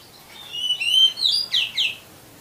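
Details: Oriental magpie-robin (kacer) master song for training caged birds: loud, clean whistled notes, a long level whistle followed by three quick downslurred phrases, on a quiet background.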